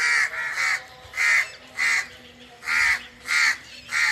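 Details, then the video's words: Under the forest, a bird repeats coarse, grating calls, roughly seven strong bursts separated by short gaps, loud and close. "the original sound of birds under the forest"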